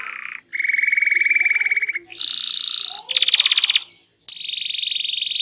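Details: Small-bodied canary singing loud, melodious, varied song: sustained buzzy rolling trills held about a second each, jumping between low, middle and high pitches, with a short break before a final steady trill.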